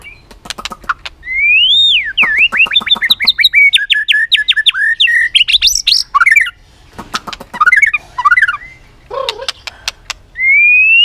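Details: White-rumped shama in competitive singing, clicking repeatedly and flicking its tail: sharp clicks, then a rising whistle into a fast run of buzzy, stuttered notes, more clicks and rapid phrases, ending on a long clear whistled note.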